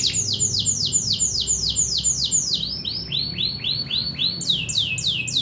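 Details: Local canary song made of loud, repeated downward-sweeping whistled notes, about four every second, changing to a slightly different tempo in each of three phrases.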